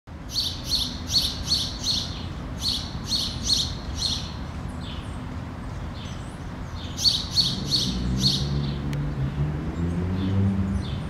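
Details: House sparrow hopping on paved yard tiles in Helsinki, Finland, in May 2013: bright, repeated chirps in quick bursts, several per second, pausing and resuming, over a steady low traffic rumble.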